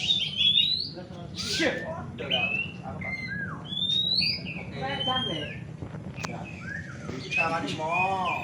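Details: Kacer birds (Oriental magpie-robin) singing at a bird-song contest in Desa Rawa Mulya, Mukomuko: varied whistled phrases, slurred rising and falling notes and harsh chatters, over a steady low hum and voices.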